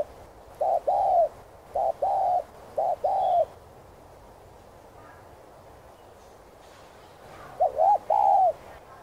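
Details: Spotted dove coo sequence for stimulating freshly caught doves: a run of three stuttered two-part coos in quick succession, a pause of about four seconds, then one more wavering phrase, with light ambient noise.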